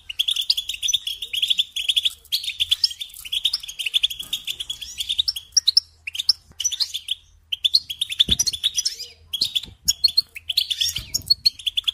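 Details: Song of a European goldfinch for training young songbirds: a sustained stream of rapid, bright chirps and jingling trills, pausing only briefly, with a soft low hum and a couple of knocks behind.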